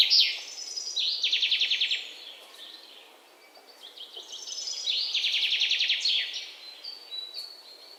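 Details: Birds chirping: phrases of fast, buzzy trilled notes and thin high whistles, several overlapping phrases, with a steady hiss of background noise.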